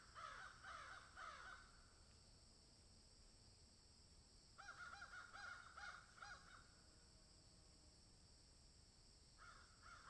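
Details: Several crows in a field give bursts of harsh, rapidly repeated caws: a first volley, a gap of about three seconds, a longer run of raspy calls, then a final short burst.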